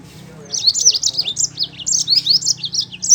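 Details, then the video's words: A Yellow-fronted canary in full song, its rolling trills meant to coax lazy Mozambique canaries to sing: rapid, high, zigzagging warbled notes pour out without pause for nearly three seconds. "mozambik gacor ngeroll cocok buat pancingan mozambik malas bunyi"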